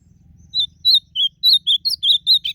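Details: Blue-black grosbeak, called azulão, singing in the wild during a song contest: a run of clear, slurred whistled notes near 4k, each short and bright, about eight in quick succession after a quiet start with faint low rumble.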